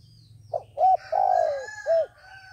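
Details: Trapping decoy dove calling to draw in other doves; one short phrase of hollow coos, a quick note, then a long falling coo and a final rounded coo, over faint low hum.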